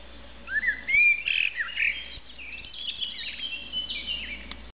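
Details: Rooftop blackbird in Argeș, Romania, June 2013: one clear fluted phrase that rises smoothly, then breaks into a busy burst of high squeaky twitters, with a faint low hum behind it.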